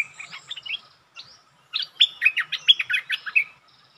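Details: Bulbul confronting a territory owner with song: soft scratchy notes at first, a pause, then a loud quick phrase of whistled, slurred and chirped notes lasting nearly two seconds.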